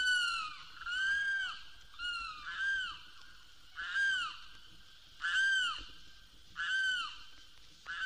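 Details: Limpkin from the cypress swamps and sawgrass marshes of Florida, which calls by day or at night. Loud wailing cries that rise and then sag downward, like someone in distress, repeat about every second and a quarter on a 1969 record.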